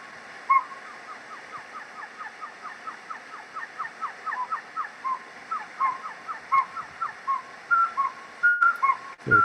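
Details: Two Northern Pygmy-Owls on Mount Graham, Pinaleño Mountains, southern Arizona, give rapid series of short, clear notes around one pitch, overlapping for several seconds; the higher-pitched bird is guessed to be a female.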